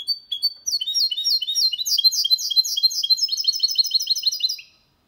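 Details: Goldfinch × canary hybrid singing cleanly without errors, a 2022 recording meant to stimulate males to sing and teach young birds; a fast, twittering run of bright, high chirps and short trills that grows denser, then stops near the end.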